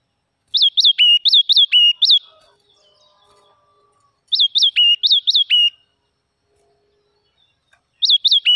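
A red-whiskered bulbul gives bright, ringing phrases of five or six quick, sharply rising-and-falling notes, repeated every few seconds with quiet gaps between.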